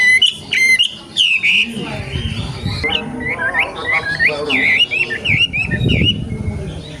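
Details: A young wild wambi sings a string of whistled, V-shaped notes delivered rapidly, opening with sharp bursts, over a low rumbling background.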